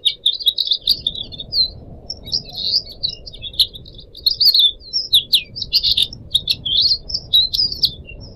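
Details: Pied Triller, a caged pet bird, sings a continuous chattering song of twittering, warbled notes broken by sharp clicks, recorded as a training tape for young birds, with a soft low background rumble.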